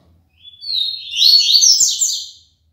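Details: ['Captive double-collared seedeater from Aracaju, Sergipe, giving one strong tui-tui limpo phrase of about two seconds. Thin lead-in notes give way to dense, bright, rising buzzy notes, with little other sound.']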